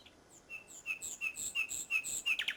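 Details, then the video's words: Common nightingale at Salthouse, Norfolk, 1 May 2011, singing a repeated series of clear whistled notes at a steady pace, each note answered by a higher overtone, ending in a sudden loud rattling flourish. "Nightingale Salthouse 01.05.11"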